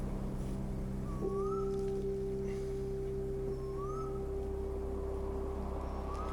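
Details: Eastern koel near Sydney gives rising, whistled swoops every two to three seconds over a steady mechanical hum and low rumble; it calls all day and night, returning every year, apparently seeking a partner.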